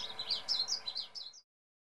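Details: A blue grosbeak at Bosque del Apache on 18 July 2013 sings a quick, rich warble of sliding high notes, rising and falling for about a second and a half before stopping abruptly.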